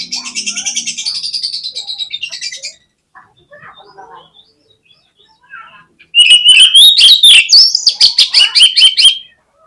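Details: Oriental magpie-robin lure song: a buzzy, rattling trill holds for over two seconds, quiet scattered notes follow, then a loud fast series of whistles and sharp chips rises and falls until the end.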